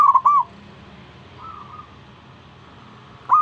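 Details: Zebra dove, a perkutut, singing to draw other doves into calling: short bright warbled notes near the start, a faint softer reply mid-clip, then another loud note at the end.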